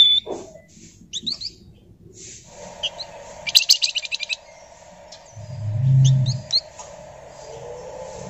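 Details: Ngebren-style chatter from a flamboyan kept as a lure: sparse sharp chirps, then one short burst of fast, rasping, buzzy pulses, over a steady low hum and a brief deep thud.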